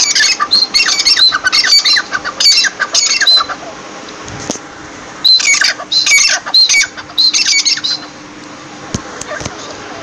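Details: Partridge (teetar) delivering two series of coarse, squeaky bursts separated by a quiet stretch of about two seconds, then falling silent near the end.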